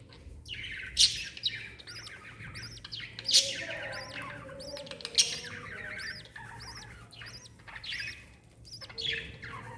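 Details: Lovebird mother with her chick, recorded 26 December 2021; sharp high chirps and squeaky calls come in loud bursts roughly every two seconds, mixed with softer twittering and a low background hum.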